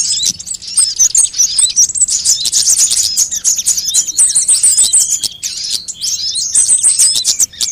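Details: Sunbird calls used to lure birds and provoke song: busy, shrill twittering and clicking notes at very high pitch, running almost continuously in fast, uneven bursts.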